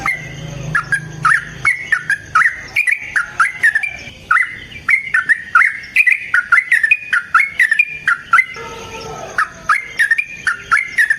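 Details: Yellow-vented bulbul in a long fighting song used to lure and train: a steady stream of chattering, warbled whistles with sharp clicks, rising and falling, joined near the end by a faint lower squawky voice.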